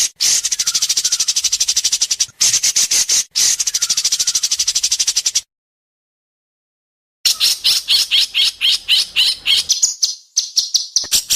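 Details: White-rumped shama at an Indonesian singing contest, judges locked onto its sharp besetan: long runs of very rapid buzzy rattling notes, a two-second silence, then faster clipped notes and short whistles.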